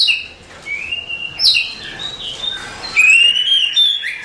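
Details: Song of a champion Oriental magpie-robin: long sweet whistled notes sliding gently up and down, broken by a sharp high note, ending with a sustained rising whistle.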